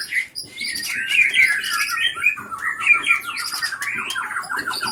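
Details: White-rumped shama from the Pining area of Leuser, Gayo Lues regency, Aceh, captive-bred stock, a bird said to mimic surrounding sounds with sharp notes and long breath; continuous varied song of rich whistled phrases and harsh chattering notes, rising and falling.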